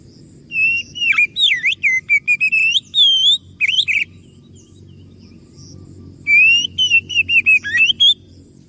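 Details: Oriental magpie-robin singing as a lure to provoke replies from other birds: long, energetic bursts of clear whistles, quick trills and sharp swooping notes, broken by one short pause, over faint background hiss.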